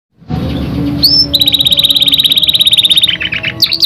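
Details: Canary song, a young bird's song used as a lure to get other canaries singing: a high whistle sliding upward, then a long, rapid, even trill of bright repeated notes, ending in quicker varied chirps.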